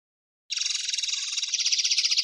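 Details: Common linnet from a 2016 recording: a sustained, rapid buzzing trill of dense, rattling notes that grows slightly louder and higher after a second.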